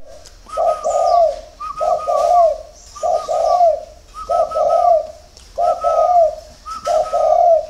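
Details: Spotted doves at a dove farm in Ba Vì, Hanoi, Vietnam, cooing in early morning: six rhythmic, throaty coo phrases about one per second, each a stuttering start swelling into a rolling note, with a thinner, higher hum laid over them.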